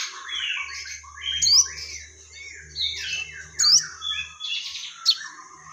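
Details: Crested jay in full voice delivering a repertoire of fighting sparrow sounds: dense bursts of sharp chirps, squawky notes and quick rattles, with loud upswept whistled notes at about 1.5, 3.7 and 5.1 seconds, over a faint low hum.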